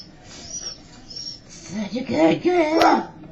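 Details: Pet 7-year-old female monk (Quaker) parakeet on a shoulder on a Sunday speaks a short, gravelly "bird" after faint high chirps; a person's voice mixed in.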